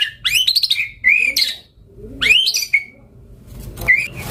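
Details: White-rumped shama singing in gacor style: short harsh, buzzy rising phrases with rapid chattering notes, three bursts with quiet between them.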